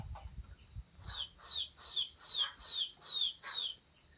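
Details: Chinese hwamei singing on 15 June 2021: six clear, high descending whistles repeated evenly about every half second, with faint low rumbling noise and a steady shrill electronic tone underneath.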